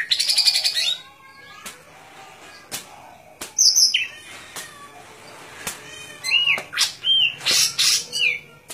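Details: Varied song from a golden-fronted leafbird: an opening buzzy chatter, then sharp high whistles and a series of rising and falling slurred notes toward the end, amid intermittent clicks.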